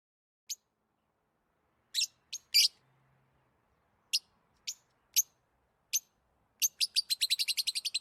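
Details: Clean, isolated high lovebird chirps spaced irregularly, ending in a rapid accelerating string of a dozen quick chirps, in an otherwise silent background.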